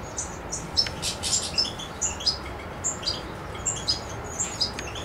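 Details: European goldfinch singing in Macedonia on 7 July 2011: rapid, tinkling, high twitters and short chirps tumble in irregular bursts. A broad low rushing noise runs underneath throughout.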